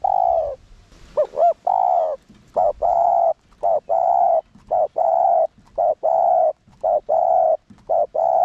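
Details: Spotted dove cooing as a lure to provoke other doves into cooing: deep, hollow, steady coos repeated in a regular chain, with a short wavering double note near the start.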